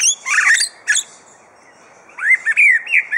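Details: Captive superb lyrebird at Adelaide Zoo, famous for mimicry, giving bursts of harsh noisy squawks followed after a pause by a run of clear whistled upslurred notes around the upper-middle range.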